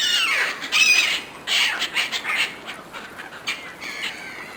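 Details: Gulls squabbling over food offered by a person: loud, harsh, descending squawks at the start, then a quick run of shorter raucous cries from several birds.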